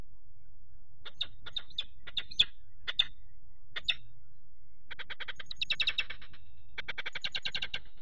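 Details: Peregrine falcons at a nest box on 4 April 2008, as a third falcon attacks the male standing on the grate while the female incubates. Harsh, separate calls come first, then two fast, grating runs of repeated notes, with low rumble underneath.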